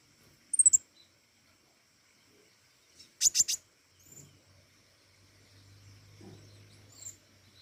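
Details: Flowerpecker singing vigorously: two brief bursts of very high, sharp ticking notes, one near the start and a louder triple-pulsed burst about three seconds later, with quiet pauses and faint low hum.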